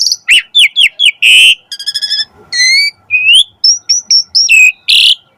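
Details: Singing Asian pied starling used to train kept birds: chattering notes, a harsh burst, a buzzy stuttered trill, rising whistles and a run of high level whistles ending with another harsh burst.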